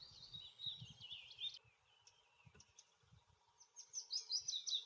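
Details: Willow warbler in late April on Dartmoor, newly returned from sub-Saharan Africa to breed, singing two sweet, liquid phrases sliding gently down the scale with a pause between, over a soft low rumble of wind.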